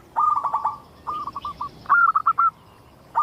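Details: Zebra dove, a local bird in strong voice, played to lure other zebra doves to sing; three short runs of rapid cooing notes with brief pauses, and another starting at the end.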